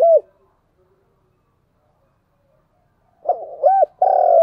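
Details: Spotted dove calling to lure and excite other doves: a brief low coo opens, followed by a long silence, then a stuttered note, a hooked coo and the start of a long steady coo.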